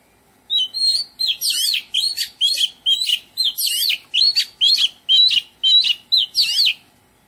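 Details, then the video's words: In a garden, an Oriental magpie-robin sings a long, melodious series of phrases, each a bright whistle twisting up and down with buzzy overtones, repeated roughly twice per second for about six seconds. "Oriental Magpie Robin - Melodious birdsong"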